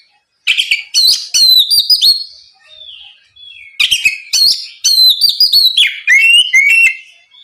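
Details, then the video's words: Oriental magpie-robin in loud, full 'gacor ngeplong' song, used to provoke a rival magpie-robin into answering: two bursts of rich, high, varied whistles and sharp chirps, fast and irregular, separated by a brief pause. "SUARA BURUNG KACER GACOR NGEPLONG MEMANCING KACER LAWAN AGAR LEKAS BUNYI NYAUT & GACOR!"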